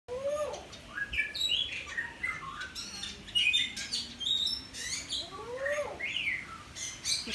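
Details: Caged common hill myna on a single perch in a Sanur residential street, Bali, July 2019, with a Bali myna caged behind it: loud rising whistles, sharp squawks and chattering notes, repeated with short pauses.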